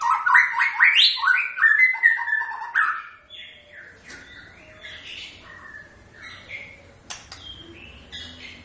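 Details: White-rumped shama (murai batu) pouring out a loud run of rapid warbled whistles for about three seconds, after which the song turns faint and scattered over a soft background hiss.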